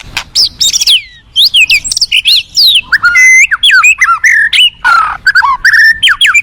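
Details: Rich, continuous song of a forest white-rumped shama: rapid swooping and dipping whistles, high sweeping slurs and interspersed clicks following one another with barely a pause, loud and clear.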